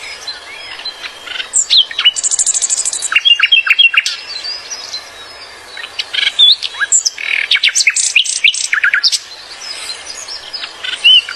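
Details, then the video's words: Wild flycatcher song in natural surroundings, scattered high chirps, a buzzy trilled burst and quick twittering phrases with short gaps, over a faint outdoor background. "KICAUAN SIKATAN LONDO DI ALAM BEBAS"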